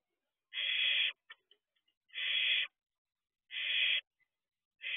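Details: Young barn owl in a nest box before dawn, 2 June 2023, peering outside; four rasping, noisy hisses roughly every one and a half seconds, each about half a second long, small clicks in the gaps.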